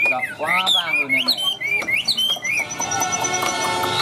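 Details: Caged Chinese hwamei gives a burst of loud, slurred, rising whistles for about two seconds. Then a steady mechanical hum and tone take over.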